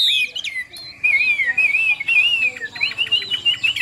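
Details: Chinese hwamei in a cage in Vietnam, noted for strong song, giving a few sharp whistled notes, then a long wavering trill that rises and falls, ending in quick bubbling phrases.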